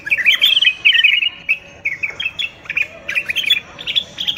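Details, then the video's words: Moroccan common bulbul singing, used for teaching young bulbuls: bright, bubbling phrases of short twisting notes in bursts, pausing briefly between groups, with no other sounds. "تغريد البلبل:طائر الوطواط المغربي."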